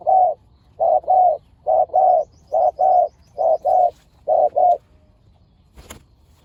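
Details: Spotted dove in a decoy-trapping session with two fierce birds. Five even pairs of mellow mid-pitched coos at a steady pace, then silence broken by a single sharp click.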